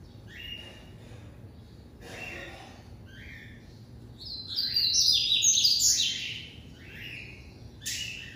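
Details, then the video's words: A captive-bred white-collared seedeater sings in the classic song style: short, clear, slurred notes in a steady series, then a loud, fast, high twittering warble before the notes resume, over a low hum. "Coleiro Branco"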